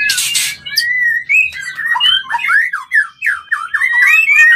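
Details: White-rumped shama mating call meant to stimulate mating: a harsh noisy burst opens, followed by a fast run of varied whistled notes, swooping up and down, clear and continuous.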